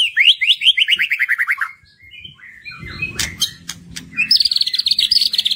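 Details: Lure song of a white-rumped shama, meant to set hesitant birds singing: a fast descending run of bright repeated notes, a brief pause with soft rustling, then a rapid high trill of many even notes.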